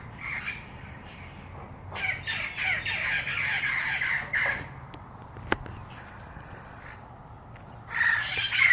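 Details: Parrots calling: a short harsh squawk, then a run of rapid raspy squawks over about three seconds, a pause with a sharp click, and a final burst of grating squawks.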